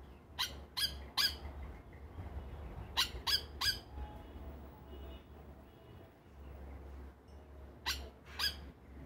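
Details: A Yellow Oriole ("Plantain bird") at a feeder in Trinidad in the evening gives harsh, raspy notes in quick bursts of two or three, spaced a few seconds apart, over a steady low hum.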